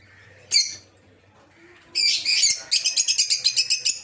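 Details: Rosy-faced lovebirds kept for breeding in an aviary: a sharp shriek, a pause, then a dense shrill burst followed by a rapid series of high chirps, about four a second.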